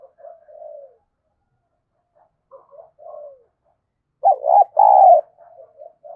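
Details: Decoy spotted dove used to draw in wild doves: quiet mellow coos, then two loud, throaty, wavering coo notes near the end, followed by softer trailing coos.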